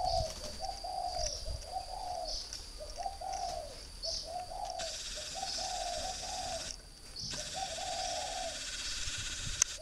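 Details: Northern Vietnamese caged spotted dove, three years a decoy, delivering a rhythmic series of soft coos roughly every second, partly masked by a burst of loud hiss midway, with a high whine behind.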